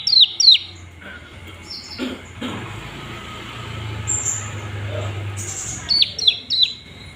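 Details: Olive-backed tailorbird, Palembang, calling to stir other birds into song: sharp, high, downward-slurred chirps in quick pairs at the start and in a fast run near the end, with a low engine rumble between.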